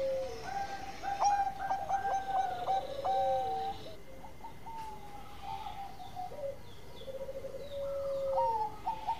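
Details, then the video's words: Several zebra doves sing at once: one gives a string of quick staccato notes and a long sliding tone, while other birds overlap with softer coos at varied pitches. "Raja Suara Mas Perkutut Gacor Super Ampuh Buat Pikat"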